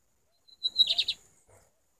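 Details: Lined seedeater singing a brief phrase: a thin high whistled note, then a quick burst of bright, buzzy warbled notes lasting about half a second, otherwise quiet.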